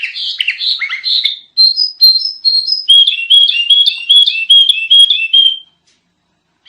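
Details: Sooty-headed bulbul in an energetic master recording: harsh sweeping notes at first, then a string of clear whistles stepping upward, and a fast run of bright, slurred piping notes before falling silent.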